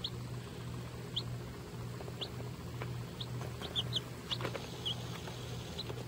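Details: Lavender Orpington chicks, babies kept on a farm, giving brief high peeps at irregular intervals, roughly two per second at times, with a constant low mechanical hum underneath.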